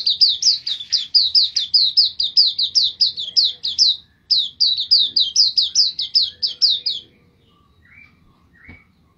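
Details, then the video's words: White-eye singing as a songbird training recording: long bursts of rapid, high, downslurred chirps repeated steadily for about seven seconds with a brief break, then a few softer, lower notes before quiet. "pleci gacor"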